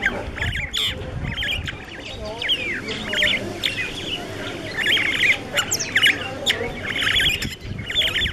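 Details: Starling chattering and whistling in a continuous jumble of squeaky, slurred notes and harsh squawks, with a low rumble underneath.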